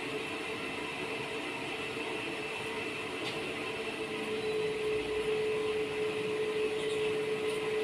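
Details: Steady mechanical drone with a constant low whine and broad hiss throughout, and no dove cooing.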